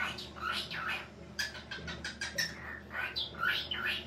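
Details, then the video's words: Pet cockatiel talking in imitation of human speech: short raspy, voice-like syllables and bursts of chatter alternate with squeaky rising and falling whistled notes, with a steady low hum in the background. "Calopsita falando - ensine sua Calopsita a falar aí que gostoso - além Assobio a Calopsita pode fala"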